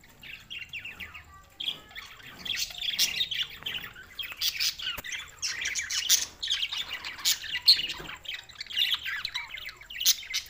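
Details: Budgerigars on June 7, 2024, chatter steadily for ten seconds: overlapping squeaky chirps, raspy warbles and occasional short squawks in a dense, irregular stream.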